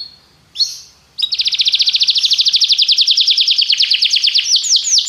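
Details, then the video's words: Canary singing for training purposes: a short buzzy note, then a long fast trill of evenly repeated high notes rolling on for several seconds, ending in a few downward-sweeping notes. "treinamento canário - seu canário cantará muito se ouvir isso"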